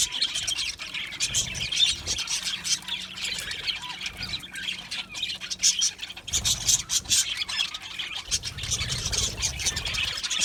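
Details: Aviary colony of Australian budgie parrots, softer overlapping high chirps and squawky notes forming a constant busy background chatter.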